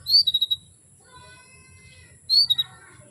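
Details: Female canary summoning males into breeding condition: two bursts, each a sharp chirp run into three or four quick pulsed notes, with faint thin whistles between them.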